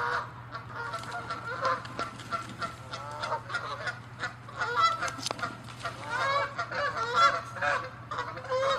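Several Canada geese honk loudly and continuously, overlapping harsh nasal calls in a dense, agitated chorus of territorial squabbling, with a low steady hum beneath.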